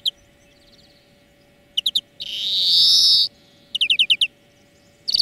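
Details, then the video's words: European greenfinch in a song lesson for training birds, giving brief clipped trills followed by a sustained, loud, buzzy wheeze lasting about a second, then another run of rapid ringing notes. "Florya Ötüm Dersi"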